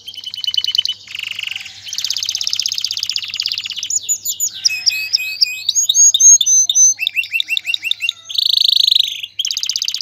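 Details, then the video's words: Male canary sings continuously to stimulate a female to mate and nest: fast buzzy trills, chains of sweeping slurred notes and rattling rolls changing every second or so, all high-pitched and loud. "اقوى تغريد ذكر الكناري لتجهيز انثى الكناري للتزاوج و تحفّزها على بناء العش CANTO CANÁRIO"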